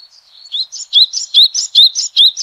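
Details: High, sharp rising chirps from a yellow-bellied tit, endemic to southeastern China, delivered in quick succession after a thin introductory whistle, each note bright and clipped.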